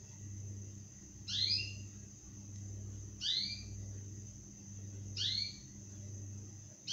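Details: Six-day-old zebra finch chicks: three thin, high calls, each sweeping sharply downward, spaced about two seconds apart over a steady low hum.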